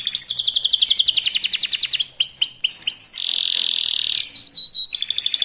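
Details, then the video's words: Very fast lure song from a young local canary meant to make others sing: a rolling trill, a run of sharp falling chips, a steady buzz, a thin whistle and a renewed trill. "Kenari muda gacor pancingan kenari lokal super cepat bikin lawan bunyi"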